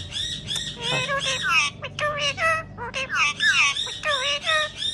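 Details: Green ring-necked parakeet talking, repeating a short word again and again in a raspy, nasal, speech-like voice, each utterance a harmonic squawked phrase with rising and falling inflection, one after another with brief gaps.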